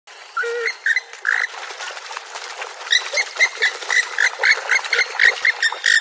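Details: Purple swamphen giving loud nasal, honking calls. Short bursts with uneven spacing at first, then a quicker series of clipped squawks in the second half. The notes vary in length, and there are no other clear sounds.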